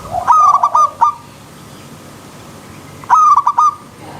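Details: Zebra dove song from the wild with a river stream: a rapid stuttering run of soft coos, then a lone note, then after a pause another rolling phrase.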